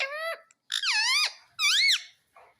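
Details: Pet parrot looking in a mirror indoors, giving three loud, harsh, drawn-out squawks that bend up and down in pitch, with brief silences between.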